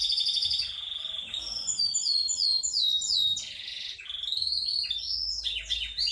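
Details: Yorkshire canary singing a long rolling song: dense high warbled phrases with rapid trills and sweeping whistled notes, running continuously over about six seconds with only brief dips, against a faint low background hum.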